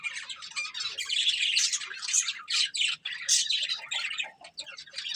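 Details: Budgerigar breeding pair giving continuous warbling chatter, dense scratchy chirps and squawks running almost without a break.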